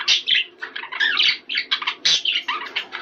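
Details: Budgerigar courtship-stimulating warble made of clipped, lively chirps and short whistled slurs in fast succession.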